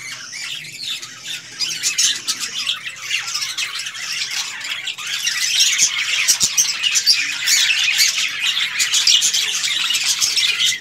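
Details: A budgerigar colony on a budgie farm fills the air with dense, scratchy chattering and squawks.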